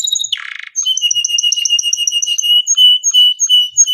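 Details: Canary in long gacor song meant for baiting other canaries: a short harsh buzz, then a run of quick bright chirps merging into longer whistled notes repeated at a steady pace.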